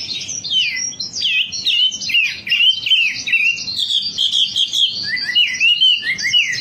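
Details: Wambi singing in a recording for prompting birds to sing: busy, unbroken twittering and whistled slurs packed closely together, high-pitched and energetic throughout.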